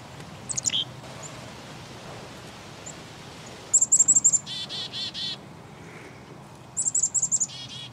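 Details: Black-capped chickadee giving its chick-a-dee call. Thin, very high rapid chips are followed by a run of buzzy, lower 'dee' notes, and the pattern is repeated a few seconds later over a quiet outdoor background.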